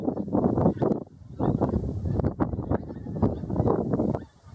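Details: Pink-footed goose calls: dense, rough, broadband honking bursts repeated in clusters, with several geese overlapping in a noisy, busy group chorus.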